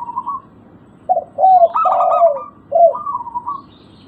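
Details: Local zebra dove, played to lure silent doves into calling: low sliding coos interlaced with a loud run of quick staccato notes, ending in a softer trilled phrase.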